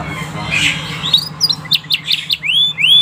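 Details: Canary song used to prompt other canaries to sing: a faint blurred start, then from about one second bright rising whistled sweeps and short high notes in quick succession, with a steady low hum underneath.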